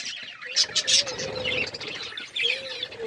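Australian parrots give quick, high, scratchy chirps in short overlapping bursts from several birds, over a faint low steady hum.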